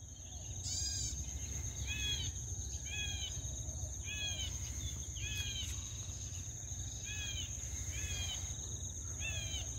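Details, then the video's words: Early-morning bird song in Bali: short arched whistled notes around mid-high pitch, repeated roughly once a second in clusters, over a steady high insect drone and a low constant rumble. "Early bird sound at Bali"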